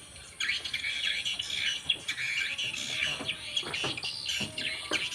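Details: Edible-nest swiftlets in a four-storey swiftlet house at Banyuwangi, East Java, Indonesia. A steady, overlapping mass of high, thin chirps and twitters goes on almost without a break, with a few lower knocks underneath.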